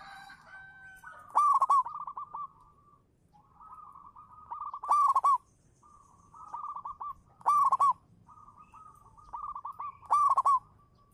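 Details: Singing local zebra dove kept as a lure bird, repeating a cooing phrase of rapid stuttered notes capped by a loud, bright final burst about every two and a half seconds.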